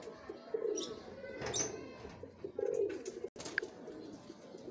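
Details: Domestic pigeons, a pair, cooing in deep, muffled, bubbling phrases, two main bursts separated by a pause, with a few sharp clicks and a short high note.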